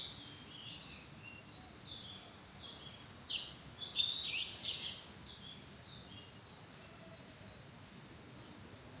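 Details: Oriental magpie-robin in a mada tree arbor producing a cluster of high, quick chirps and short sweeping whistles, then isolated single notes spaced a couple of seconds apart, over low outdoor noise.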